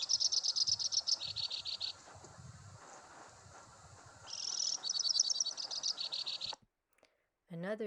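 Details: A male White-winged Crossbill in winter in the Timmins/South Porcupine area of northeastern Ontario sings a long, high run of rapid buzzy trills and chattering notes, changing pitch in bursts, then stops; a voice begins at the end.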